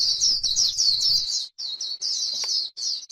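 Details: 'Líu' chatter of a white-eye on grassland: quick high chirping phrases in short bursts separated by brief silences.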